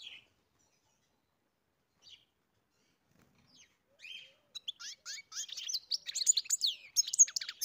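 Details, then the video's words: After a quiet opening with a few isolated soft chirps, a European goldfinch launches into a rapid twittering song that grows louder and denser toward the end. "Καρδερίνα μελωδία (Goldfinch carduelis SINGING)"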